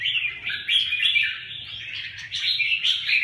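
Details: Red-whiskered bulbuls of the Huế bướm and Huế tê giác types clash in a fight, giving quick overlapping chirps and short rising whistles in a busy, excited chatter.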